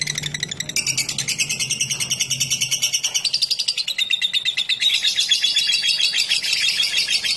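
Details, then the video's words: Lovebird ngekek, a long continuous stream of rapid, high, rasping chatter that grows louder toward the end, over a faint low hum. "Burung LoveBird Ngetik Ngekek Panjang"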